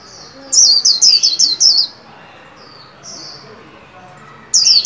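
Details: Captive white-eye in training, 'líu' singing at new year 2021: a run of about seven fast, piercing, falling chirps, then a pause with a few soft high notes, then another burst begins.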